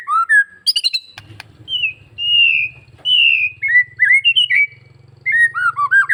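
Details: White-rumped shama from Bali in full varied song used to stir other shamas into singing: rapid chips, clear whistles and slurred phrases in changing sequence, a low steady hum underneath.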